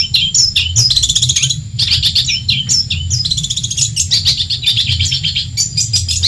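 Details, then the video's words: Long-tailed shrike, a genuine Madura bird, singing as a model for other songbirds: quick repeated phrases of bent, slurred whistles and rasping chips, each burst lasting about a second, with a low hum throughout. "Masteran burung cendet Madura asli . Bikin emosi lawan"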